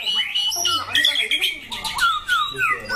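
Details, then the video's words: White-rumped shama kept for song contests, loud and harsh-voiced, delivering quick varied whistles and downslurred notes in a busy, rapidly changing phrase. "Chòe lửa chuẩn thi tất cả đấu trường"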